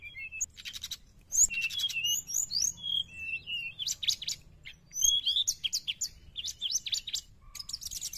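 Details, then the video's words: Sooty-headed bulbul song used as a lure for wild birds: lively mixed phrases of bright whistled slurs and short rising and falling notes, broken by buzzy rattling bursts, possibly from other birds. "srdc gacor penarik burung bahan"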